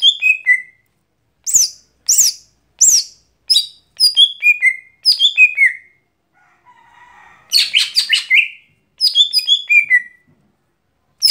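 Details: Daily song of a lesser green leafbird, locally gotri: repeated phrases of clear whistles stepping down in pitch, sharp high slurs between, a brief soft warble midway, then a burst of rapid notes and more descending phrases.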